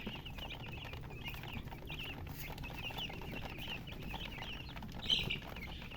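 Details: Many baby chicks (murgi), colour chicks in poultry keeping, thirsty for drinking water, give dense overlapping high chirps, short rising-falling peeps in constant chatter, with a steady low hum beneath.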